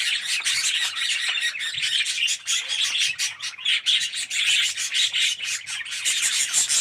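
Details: Red-eyed yellow Australian budgerigars in an aviary colony, a continuous dense chatter of overlapping chirps and scratchy warbles from many birds, high and bright, with no pauses over nearly seven seconds.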